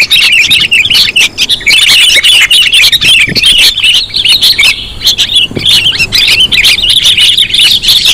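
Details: Sooty-headed bulbul lure recording: a steady stream of bright, bubbling chirps and rough squawks from several birds, rising and falling in short phrases with a few faint low thumps.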